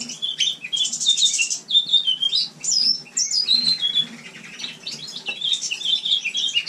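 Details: Captive house finch singing indoors in a shared bird room in winter: a long, rapid warble of high chirps and twittering notes with short whistled slurs, almost continuous, with faint room background.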